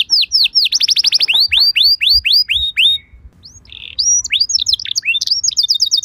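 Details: Canary singing a lure song meant to make other canaries answer: rapid tours of downward-sweeping whistled notes, some fast trills, then a brief pause near the middle before clipped whistles and buzzy trills resume.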